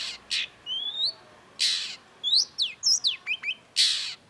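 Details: Long-tailed shrike (cendet) alternates loud, harsh rasping squawks with thin rising whistles and quick, bouncing chirps.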